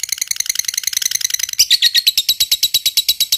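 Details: Fighter lovebird in long 'ngekek' chatter: a dense, quick, buzzy rattle shifts midway into louder, harsh, strongly accented notes repeated about six times a second.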